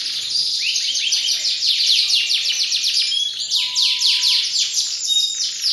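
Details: Canary song of fast, repeated descending whistled sweeps forming dense trills, with a brief steady pure tone midway and a few sharper high notes, sustained throughout without pauses.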